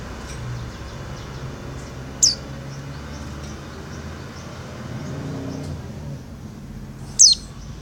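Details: Female Oriental white-eye calling the male: two thin, very high, downslurred notes five seconds apart, with fainter high ticks between them, over a low rumbling background hum.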